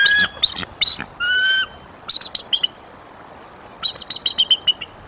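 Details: Female bald eagle at the Decorah nest, April 2023, with a few sharp squeaks and one level whistle. A quiet pause follows, then a quick descending series of high chortling chips.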